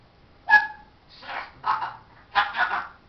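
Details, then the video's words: Pet parrot talking, said to utter "hello darling, show us your"; one clear tonal syllable followed by three hoarse, breathy word-like bursts in quick succession, no other sounds. "parrots says hello darling show us your"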